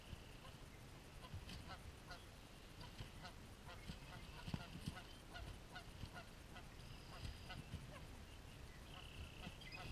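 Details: Geese in a fight, with repeated short nasal honks spread through the recording, some overlapping, above a continuous low rumble.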